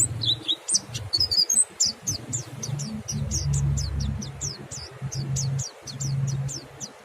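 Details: Mountain white-eye giving ngalas song that urges other birds to sing along; evenly spaced short, high, down-slurred notes about three per second, with a low humming drone underneath.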